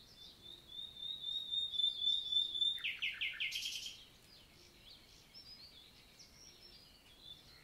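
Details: Nightingale morning song in a French countryside forest, 11 June 2023: a long drawn-out pure whistle, a few quick sharp notes, a harsh burst, then quieter faint twittering of other birds.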